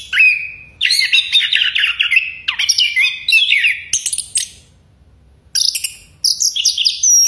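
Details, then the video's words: A Chestnut-capped thrush sings loud, rich whistled phrases, varied and strident, with scratchy notes mixed in and short pauses between bursts. "橙头鸟 anis kembang bersiul keras geokichla interpres"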